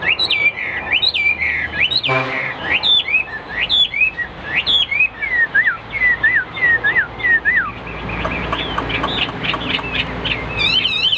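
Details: Caged Hwamei in a fighting display, giving a long series of loud, clear slurred whistles, briefly broken by a short noisy burst, then ending in fast excited twittering.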